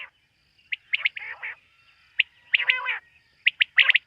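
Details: Nocturnal quail calling: bursts of bright chirps each followed by a rougher, buzzy harmonic note, three groups over four seconds.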